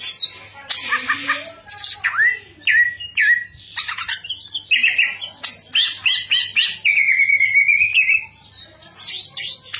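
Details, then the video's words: Greater green leafbird from Indonesia in full, varied song: buzzy harsh bursts, clear upslurred whistles, choppy chattering phrases and a sustained level whistle near the end, over a steady low hum. "cucak ijo gacor isian mewah"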